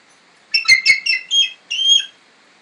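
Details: Captive female bald eagle, twenty years old, once rescued near Sitka with a severed wing, utters a brief string of thin, high whistled notes, slurred and wavering, ending in a longer rising squeal.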